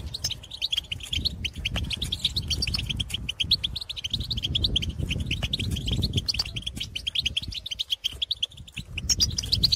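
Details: Several goldfinches in the field calling to others of their kind, a continuous twittering chatter of high notes over persistent low rumbling noise.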